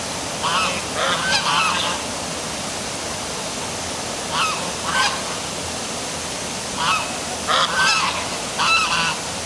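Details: After dark at a waterfall near City Hall in Milford, Connecticut, geese honk in clustered groups of two or three quick nasal calls, with pauses between, over a loud hiss of falling water.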